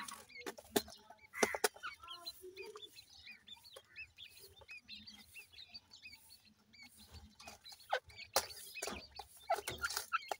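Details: Brood of grey francolin chicks calling their mother; a steady stream of high, slurred peeps from several chicks at once, with scattered clicks, knocks and handling rustles throughout.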